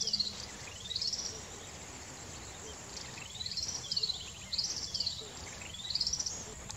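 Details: Yellow-bellied waxbill feeding near Mount Kenya and Naro Moru, Kenya: thin, high, rising whistled notes that sweep upward into a brief trill, given about five times in seven seconds over soft background noise.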